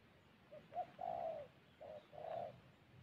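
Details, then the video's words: Distant-sounding spotted dove coos from a decoy bird in Gia Lai, Vietnam: a few soft low hooting notes in two phrases, partly masked by steady background hiss. "Gác cu gáy_ Bổi nước xa tốt, có kèm"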